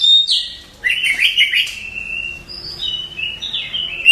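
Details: Oriental magpie-robin at night, its song meant to make rivals answer: a run of bright, slurred whistles and chattery notes, sliding between high and middle pitches over about four seconds.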